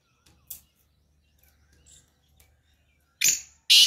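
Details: Black francolin calling in the morning: after near silence with faint chirps, two loud harsh, grating broadband bursts close together at the end.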